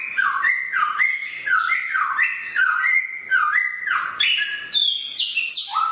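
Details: Samyong bird with a sharp voice, its song a chain of strong whistled notes in steady stepped phrases, ending with higher sharp slurs; no background sounds.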